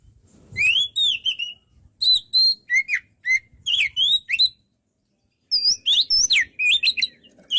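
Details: White-rumped shama singing rich whistled phrases of slurred and chipped notes in two bursts separated by about a second of silence.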